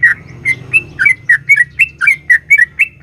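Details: Sooty-headed bulbul, a female calling the male, used as a lure to stir a caged bird: a lively run of short, bubbly, slightly rising notes near the same pitch, given about three to four per second with brief gaps.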